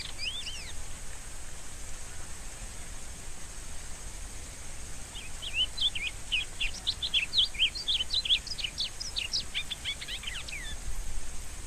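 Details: A rusty-collared seedeater gives a few slurred notes, falls silent, then after five seconds bursts into a fast, dense run of sharp rising and falling whistled notes; steady hiss behind.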